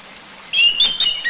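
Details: Orange-headed thrush singing, used as a lure to prompt another bird to sing: after half a second of quiet, a brief run of clear, high whistled notes that shift quickly between pitches.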